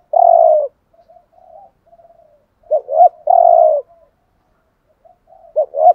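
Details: Spotted dove used as a decoy, cooing thúc gù: a long, flat, buzzy coo, then quiet murmured notes, then a double hooked coo leading into another long coo, in a steady repeating cycle.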